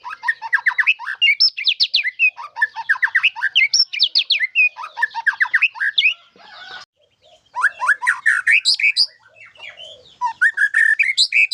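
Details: Murai batu, the White-rumped shama, singing strongly in the isian style. Loud, varied phrases of rapid warbles, slurred whistles and chattering notes come in bursts of about two seconds, separated by short pauses.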